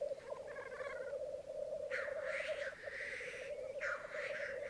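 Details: Black grouse at a May 2022 morning lek on a Mykland bog, twelve males and two females. Soft bubbling opens with a faint rippling call, then loud hissing sneezes come in two bouts over the droning chorus.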